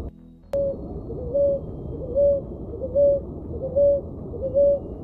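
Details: Ruddy ground dove (Columbina talpacoti) song: after a brief burst of electronic tones, five soft, level coos repeat at a steady pace of under a second apart against low background rumble.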